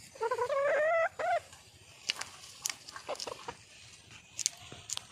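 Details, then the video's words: Female wild junglefowl calling out for a mate gives one drawn-out, wavering nasal note and a brief second one. Scattered clicks and rustling sounds follow. "le bruit d'une poule sauvage,เสียงไก่ป่าร้องหาถู่หาตัวผู้,ສຽງໄກ່ປ່າຮ້ອງຫາຄູ່ຮັກ, poj qaib qus see"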